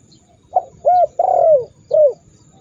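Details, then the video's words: A single cooing phrase from a spotted dove, played to stir rivals into calling: a soft lead note, a rounded hoot, a long descending coo, then one more short hoot, with faint background rumble. "Masteran burung tekukur super dahsyat membuat lawan ikut gacor mendengkur ngamuk"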